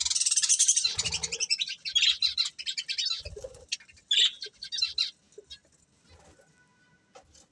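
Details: Breeding pair of pet budgerigars giving a dense run of fast, scratchy, high chattering chirps that fades after about five seconds, with soft wing flutters and thumps mixed in.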